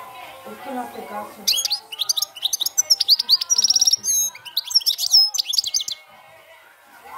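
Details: European goldfinch singing in the field-style 'cante campero' manner: after a quiet opening, a rapid, bright twittering run of high chirps and buzzy trilled notes lasting about four and a half seconds, then fading out.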